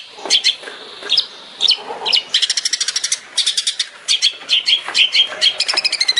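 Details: Long-tailed shrike in a master recording for training songbirds, sung in the tembakan style: dense high chattering bursts, rapid runs of sharp repeated notes, and buzzy trills, with short pauses between phrases.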